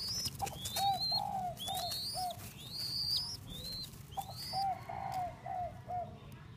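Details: Spotted dove, a young Thai-type cage bird, cooing in two short bursts of about four soft, even notes each, separated by a pause, with frequent high rising whistles from other birds and a low hum behind.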